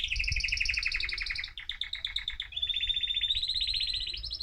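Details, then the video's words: Excited male mosaic canary song to stimulate other birds: a rapid pulsing trill, a brief pause, then a steady even rolling trill ending in a higher phrase. "أجمل تغريد ذكر كناري هائج موزاييك لتحفيز طيورك"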